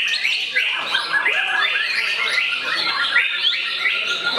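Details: White-rumped shama singing actively to attack a rival: a dense, rich stream of varied whistled and chattering phrases, rising and falling quickly with scarcely any pause, with other bird voices close behind.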